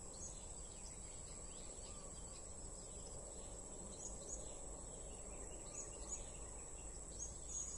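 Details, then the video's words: Blue-crowned hanging parrot heard during bird trapping: short, high, thin chirps repeated through the recording, several coming in quick pairs, over a steady, loud insect drone. "Edisi Memikat Serindit"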